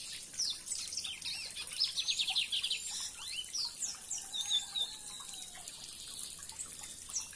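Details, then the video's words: Lined seedeater singing: rapid high, thin chirps and short descending whistled notes in quick, irregular bursts, with a faint watery trickling sound in the background. "Bigodinho de Wellington cantando!"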